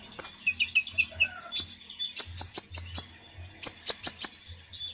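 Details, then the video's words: Konin bird in full active song, offered as therapy for konins that rarely sing: squeaky high chirps and then bright rapid notes in two bursts of four to five, with a faint low hum underneath. "KONIN GACOR FULL ISIAN"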